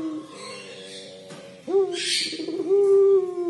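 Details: Collared dove (puter pelung) crying call: soft low wavering notes, then a sharp rise into a long, strong, steady coo, with a hissy noise burst overhead.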